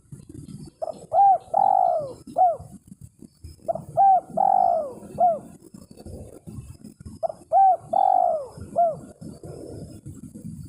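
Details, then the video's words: Spotted dove calling to a rival, used as a lure: three phrases of low coos, each a short note, a longer drawn coo and clipped endings, roughly every three seconds, over a low rumbling background. "SUARA BURUNG TEKUKUR MEMANGGIL LAWAN"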